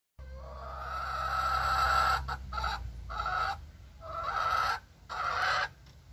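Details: Booted bantam hen in a kitchen garden making a drawn-out, hoarse vocal note, followed by several short, raspy squawks separated by brief pauses, over a faint low hum.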